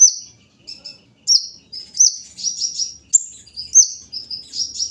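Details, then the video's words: High, sweet chirps and short sliding whistles from a kolibri ninja sunbird during morning dew-bathing, delivered in loose, uneven phrases. "pengembunan di pagi hari burung Kolibri ninja"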